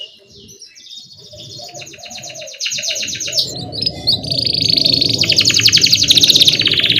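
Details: Canary song used as a lure to get young canaries singing, in the rolling 'ngerol' style: soft opening, then buzzy high trills of rapidly repeated syllables growing louder and denser. A low rumbling hum and faint lower notes run beneath.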